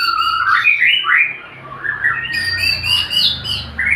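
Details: Male white-rumped shama kept as a songbird: loud, rich, varied phrases of fluty whistles and sweeping slurs, with a harsh squawky note early on and rapid changes in pitch throughout.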